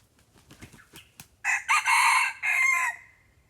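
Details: Lured with a decoy bird, a red junglefowl crows after a series of rustling clicks and taps: a loud, raspy crow in three parts, the last drawn out and falling off.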